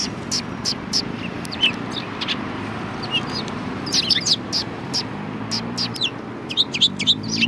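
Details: Sparrows at a Tenmangū shrine, 1 March 2020, keep up irregular high chirping, with a denser cluster of quick tweets toward the end, over a low, rumbling background.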